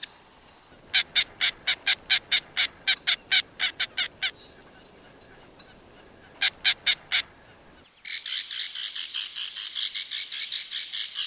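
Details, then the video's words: Belted kingfisher from Wisconsin giving loud rattling calls: a burst of sharp, evenly spaced clicks for about three seconds, a short second burst, then a denser, softer, continuous rattle near the end. "Belted Kingfisher"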